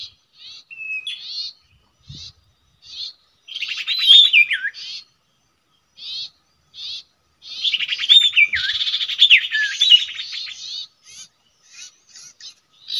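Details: Common iora at its usual nesting place gives spaced short buzzy notes broken by two louder passages of whistled slurs and fast raspy chatter. A couple of soft taps are audible.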